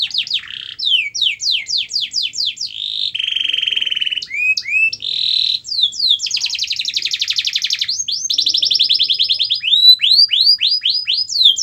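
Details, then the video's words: Canary lure song for a bird that will not sing: long chains of rapid descending notes, a sustained low roll, upslurred whistles and a dense buzzing trill. "Kenari Anda MALAS BUNYI, Coba Putar Video Ini !!!"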